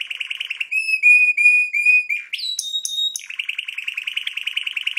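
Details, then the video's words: Red canary singing: a fast buzzy trill, then slower sliding whistled notes, a rising swoop into a high ringing note, and a return to the rapid rattling trill. "Red Canary singing"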